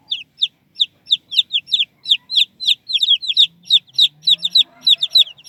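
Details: Squeaky chicks peeping loudly and fast, each note a sharp high downslur repeated roughly three times a second, calls overlapping toward the end over a quiet low hum.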